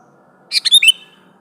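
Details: One quick sooty-headed bulbul phrase sung to call a rival: four rapid bubbly notes in under half a second, the last ones slurring downward into a brief whistle.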